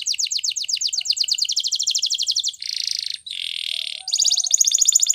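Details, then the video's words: Canary training song: a long rapid trill of evenly repeated chirps, two separate buzzy rolls, then the quick trill resumes. "Canary singing Bird Sounds At Its Best | Melodies Canary Bird Song"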